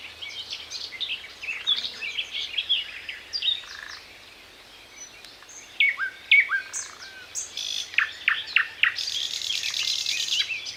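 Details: Thrush nightingale gives an unhurried, varied song of falling whistles and sharp notes in separate phrases with pauses between, ending in a dense, buzzy, hissing burst; faint low hum beneath.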